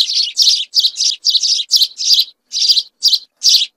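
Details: A flock of house sparrows sings in fast, scratchy chirps, nearly back to back, some paired, forming a continuous chattering run broken by a few short pauses.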